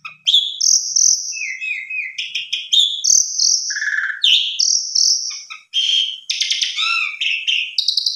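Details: Javan pied starling singing complete fill-in material to prompt other starlings to sing: long high whistles mixed with low buzzy notes, quick chattering bursts and a downslurred whistle.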